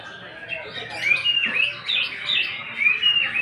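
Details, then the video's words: Greater green leafbird in provoking 'nembak' song with rough 'isian' filler: a looping series of bright, slurred whistles that dip and rise, repeated at a steady, moderate pace with a faint low hum behind. "Pancingan emosi Cucak ijo. Cucak ijo nembak bongkar isian kasaran."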